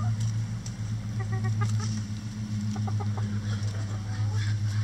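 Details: Flock pecking a cabbage ball hung up for coop enrichment; two bursts of rapid, evenly spaced clucks with a few scattered notes, under a continuous low mechanical drone.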